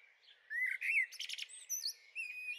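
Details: Garden recording of a young Eurasian blackbird, 23 May 2013: whistled rising notes run into rapid buzzy chatter and thin high squeaks.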